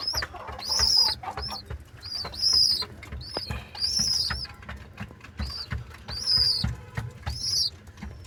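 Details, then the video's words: Two baby pigeons (squabs) give high, thin 'chu-chu' squeaking peeps in repeated bursts about every one and a half seconds, with soft rustling and background noise between calls. "Baby pigeon squeaking sound"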